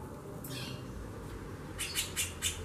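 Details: Female White-bellied Seedeater (chorão), calling a great deal, gives a buzzy downslurred note, then after a pause four quick harsh, scratchy chirps in even succession over low background hiss.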